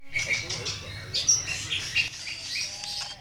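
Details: Greater green leafbird (cucak ijo) song from a masteran training recording for contests, full of harsh bursts (tembakan kasar) in combination: dense, busy, high chattering and twittering phrases overlapping throughout, with a low rumble beneath.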